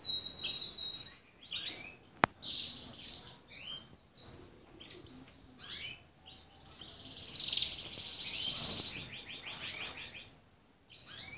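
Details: Red canary singing a varied song of rapid rolling trills and slurred chirps, with a long sustained buzzy roll near the middle and a fast pulsed tour toward the end; a sharp click early on.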